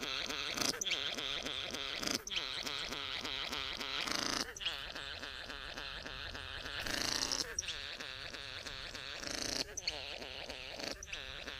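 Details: Satin bowerbird courting a female at the bower keeps up a long churning, whirring buzz of rapid repeated pulses, broken by loud harsh rasps and sharp clicks.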